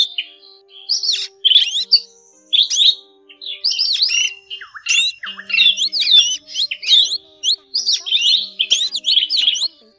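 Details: Drongo flock-calling sounds used as a net-trapping lure for black and forest drongos: a rapid jumble of sharp, ringing whistles and chattering notes, many swooping up and down, over a faint steady hum.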